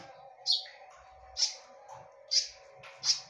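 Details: Four loud, piercing high notes from a konin, spaced about a second apart, part of a lure recording in 'tembakan' style, with low murmurs beneath.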